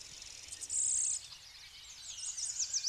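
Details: Blue-winged warbler song from Connecticut, where hybrids with Golden-winged Warblers are common: a loud, steady, very high buzz lasting about half a second, followed by fainter warbling from another bird.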